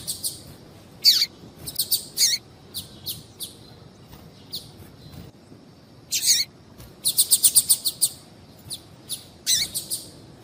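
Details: Female papa-capim calling, a call prized in female-call contests and used to rouse males to sing. Irregular high chips, some sliding downward, lead to a fast run of about six notes.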